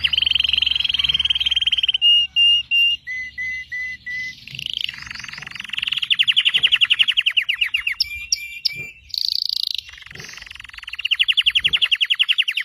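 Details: Red Belgian canary singing a varied song: steady rapid rolling trills, clusters of flat whistled notes stepping lower, a high shimmering buzz, then more fast rattling rolls.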